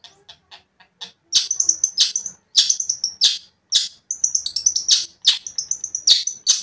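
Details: A long-tailed shrike calls energetically to provoke another shrike. Faint ticking opens, then loud harsh rasping bursts mixed with high thin whistles come in quick clusters separated by short pauses.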